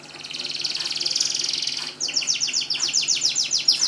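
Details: Canary song meant to prompt quiet canaries into singing: a long, high, buzzy trill followed by distinct rapid rising chirps repeated several times a second.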